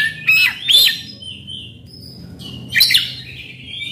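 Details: Oriental magpie-robin song for coaxing a silent bird: a few loud, separated phrases, clear upward-looping whistles with harsh edges, and a thin sustained note between them.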